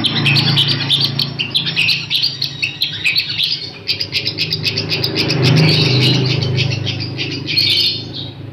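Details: Long-tailed shrike song for teaching other birds: continuous rapid chatter of scratchy, clipped high notes with a steady low hum throughout.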